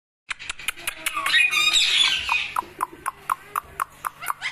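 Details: Green parrots calling: a burst of harsh, noisy squawking, then a run of short, sharp, high calls repeated about three times a second.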